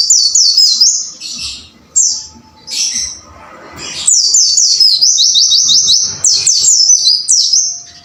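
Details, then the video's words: White-eye song meant to train caged birds: clusters of thin, high, slurred-down chirps, a brief lull, then a long chattering run of rapid descending notes. "MASTERAN BURUNG PLECI AGAR GACOR WUCIT WUCIT"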